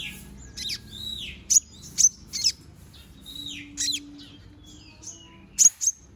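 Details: Konin bird, young and balding while its feathers grow, giving drawn-out downslurred whistles mixed with abrupt high chips, loose phrases spaced about a second apart, with a faint low tone in the background.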